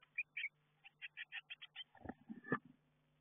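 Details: Blue tit chicks getting ready to fledge from a garden nestbox; a short series of evenly spaced high chirps, then low bumping and rustling sounds as birds move in the box.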